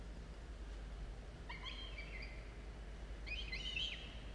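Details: Falcon chicks at a camera-monitored nest, early morning of 27 October 2022, with two short bursts of thin, wavering, squealing calls about two seconds apart against low electrical hum.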